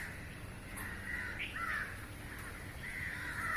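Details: Rasping caws from many crows flying over a roof and hunting insects in midair, drawn-out calls overlapping in a continuous stream.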